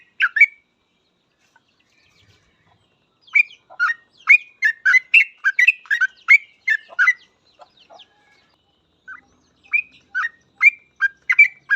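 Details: Chattering 'full ropel' song of a yellow-vented bulbul, offered as masteran for training trucuk. Bursts of bubbly, tumbling notes come in two dense runs separated by a pause of a few seconds.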